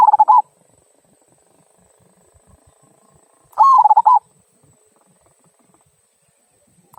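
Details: Zebra dove from local stock in 'kung' song, intended to prompt other birds: the tail of one stuttering coo phrase, a full phrase near mid-clip, then the start of another, with quiet pauses between.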